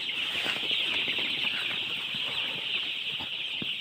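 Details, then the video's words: Baby chicks calling all at once: rapid, piercing little peeps blended into a constant shrill chorus, fairly loud and steady throughout. "baby chick's chirping sound, chick chirping sounds"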